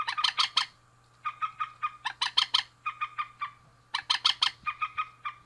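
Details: Male and female rails calling in rapid series of sharp, raspy notes. Bursts of five or six clipped notes follow one another with brief pauses between them.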